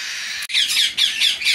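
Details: Young hand-fed cockatiels, among them a plucked grey pied-face-like ("gra fight face") female chick, give harsh, hissy, high, raspy squawks in quick succession, about three per second, in a loud aviary.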